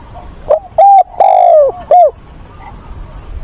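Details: Spotted dove kept as a decoy, calling for a mate in rainy, windy weather on 24 September: a single loud phrase of four hollow coos, the third long and drooping, then quiet rustling background.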